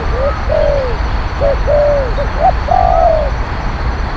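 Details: Spotted dove cooing, used to lure wild doves: short clipped notes alternating with longer arched coos in a tight sequence. Another bird's higher, thin whistle rises and falls in the background.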